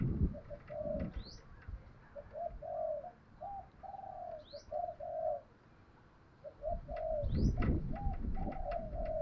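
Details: Spotted dove whose voice is used for training decoy doves: repeated low coo phrases of several short and drawn-out notes, with rustling and handling noise and occasional high thin chirps from other birds.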